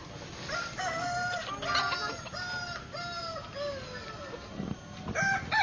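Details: Kukuak Balenggek rooster at a crowing contest with birds staked in the ground in Solok city, giving a long crow of many harmonic syllables in a stepped chain lasting over four seconds, with people talking nearby.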